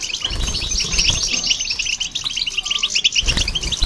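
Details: European goldfinch and a hybrid singing to stimulate other birds: steady rows of short, high, tinkling notes in quick succession, with low background rumble throughout.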